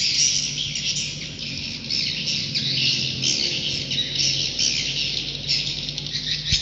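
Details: Swiftlets giving roosting calls: unbroken, shimmering high twitters and chirps from many birds, pulsing slightly in loudness, with a low steady hum in the background.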